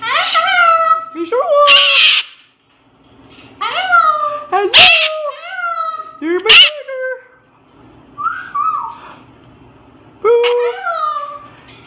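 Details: Pet parrot indoors, swinging upside down and noticing a Moluccan cockatoo, makes cute noises: a run of squeaky rising-falling whistled notes with rasping bursts, a brief pause, then more bent whistles near the end.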